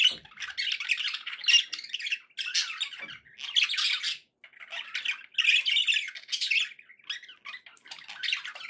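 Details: Pet budgies giving bursts of raspy warbling and squeaks, phrases of one to two seconds with brief breaks, the chatter staying lively throughout.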